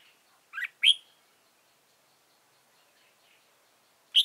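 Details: Red-whiskered bulbul decoy in a trap, recorded November 2017, utters a pair of sharp, bright chirps, then silence, then another single loud chirp.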